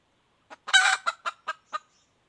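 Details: A wild hen red junglefowl gives one harsh, grating squawk followed by four evenly spaced, short clucks that fade out.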